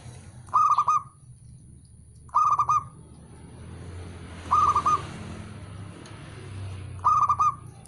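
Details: Calling male zebra dove: brief bursts of quick, clipped cooing notes recur about every two to three seconds, four phrases in all, with a steady low background hum.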